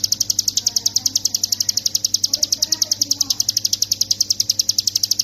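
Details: Hill prinia in nonstop song, used as a master recording for training songbirds. An unbroken, even stream of very high, sharp ticking notes runs at roughly three or four per second throughout, with faint chatter and low hum underneath.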